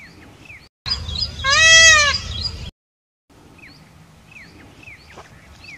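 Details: Indian peafowl (peacock) in the wild in Rajasthan, India, giving one loud, arched, nasal, harmonic wail lasting about a second. Small birds chirp in short rising notes in the background, and a brief silent gap follows.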